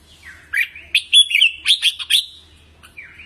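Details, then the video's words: Red-whiskered bulbul singing, a recording used to train caged birds' voices: short bursts of bright, chirpy, warbled notes, with a rapid cluster of sharp syllables in the middle and a softer closing phrase. "Luyện Giọng Chào Mào Mới Nhất"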